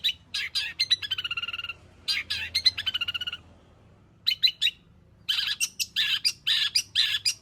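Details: Pentet, the long-tailed shrike, singing a medley of mimicked phrases intended to make other shrikes sing: fast trilled rattles holding steady pitch, brief gaps, then clusters of harsh, buzzy, broadband chatters repeated roughly twice per second.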